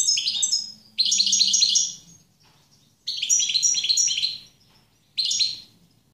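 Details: European goldfinch singing in repeated bursts of fast, jangling twitters and high liquid chirps, each phrase about a second long, separated by short pauses.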